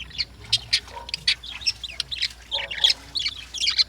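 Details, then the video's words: Lovebirds in the morning, giving a rapid stream of short, sharp, high squeaks and chirps in irregular bursts, several birds seemingly calling over one another, with a few lower squawks mixed in. "Lovebirds || Morning Sounds"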